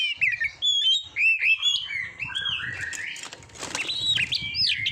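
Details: Song of an Oriental magpie-robin meant for training competition birds: chains of sweet slurred whistles and chirps, briefly overlaid by a burst of rustling noise midway, then bright swooping notes resume.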